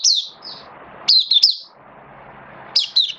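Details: Mata puteh, an oriental white-eye kept for song, 11 September 2022, form slightly dipped: brief high descending chirps and a short twittered phrase of three notes, separated by stretches of broad low background noise.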